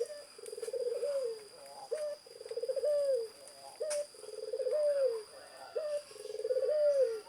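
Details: Zebra dove in full song, repeating about every two seconds a sharp rising introductory note followed by a stuttering, pulsed coo that arches up and down. Faint twittering from other birds and a steady high hum sound behind it.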